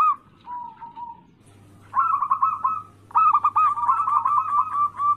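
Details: Local zebra dove singing anggungan as a rival-provoking lure: a quiet drawn-out coo, silence, then two energetic bursts of quick, stuttered cooing notes, the last one long and sustained, over low hum.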